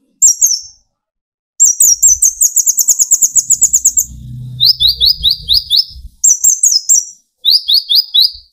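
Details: High trilled song of an olive-backed sunbird (kolibri ninja) used to stir other birds into singing: a long rapid metallic trill, then repeated short rising-falling chirp phrases, with low rumbling noise in the background.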